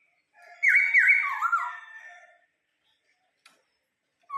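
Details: Vietnamese laughingthrush kept as a pet bird, whistling a song of clear notes stepping downward in short slurred loops, then trailing off into softer notes, with silence and a brief low whistle at the end.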